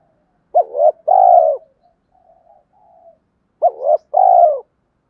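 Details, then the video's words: Spotted dove used to provoke wild birds, cooing in the two-ending style. A double hoot runs into a long, slightly descending rolling coo, then soft murmurs, and the same phrase repeats. "tiếng cu gáy kích bổi mỗi ngày, gáy gọi hai hậu"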